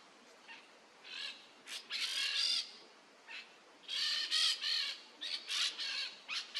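Peach-fronted parakeet giving harsh, grating screeches in bursts, some short, some drawn out over half a second, coming in two clusters with brief pauses.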